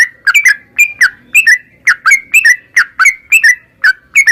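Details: Caged yellow-vented bulbul in a lively ropel song meant to stimulate singing; bright whistled notes with quick rises and falls, grouped in twos and threes with short gaps, on a clean quiet background.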